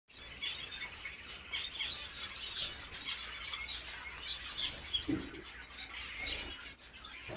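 European goldfinches give a continuous, high, tinkling twitter of quick chirps and trills, with several birds overlapping and a few soft low thumps.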